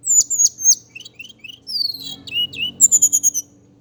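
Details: Javan indigo flycatcher song opening with bright high chirps, then a descending run of slurred whistles and ending in a fast even series of sharp high notes.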